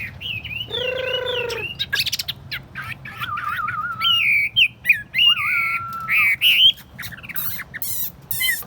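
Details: Chinese hwamei, a tamed cage bird set on a table, delivers varied song: a rich harmonic note, then wavering lower whistles alternating with higher slurred phrases and sharp chips, rapidly changing in pattern.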